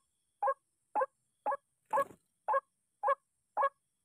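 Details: Agitated white-breasted waterhen responding to a trapping decoy: evenly spaced, harsh croaks about every half second, seven notes in a row, one slightly noisier and broader than the rest.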